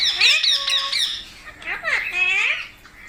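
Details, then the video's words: Parrot calls in harsh high squawks with a thin steady whistle-like tone beneath, then a pair of sharp downward-swooping screeches. "Parrot Natural Sounds Compilation | Parrot Sounds |Baby Parrot Sound"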